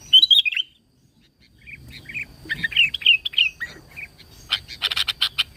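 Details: Sooty-headed bulbul in its natural voice, singing constantly as a lure for other bulbuls: a bubbling whistled phrase, then a string of short, mellow, warbled notes, ending in quick rasping chatter.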